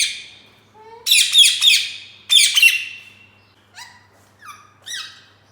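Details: Indian green parrot, a caged ringneck, chirping: a sharp opening call, then two bursts of grating rapid notes, followed by three thinner clipped chirps with rising and falling shapes.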